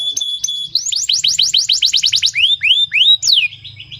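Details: Canary song used to coax other canaries into singing: about a dozen fast, repeated upswept notes, then three slower rising whistled slurs and a sharp falling note before a softer trill.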